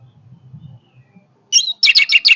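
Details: Low murmuring background, then an orange-headed thrush delivers a sudden high whistle followed by four rapid, vigorous chattering notes.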